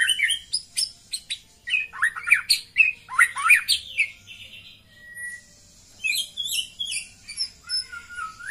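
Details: Female white-rumped shama calling to raise a male's breeding drive: rapid, varied phrases of sharp chirps, slurred whistles and squawky notes in dense bursts, a steady mid-pitched tone near the middle, then high sliding whistles at the end.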